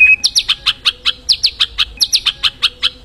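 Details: White-rumped shama in the wild: after one short level whistle, a rapid series of sharp, high, downward-slurred chips, about five per second.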